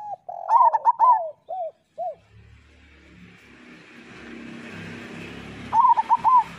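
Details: Local zebra dove master song for doves slow to sing: a quick run of clipped notes and two short arched coos, then a rising rushing vehicle-like noise that covers the rest before a final clipped burst.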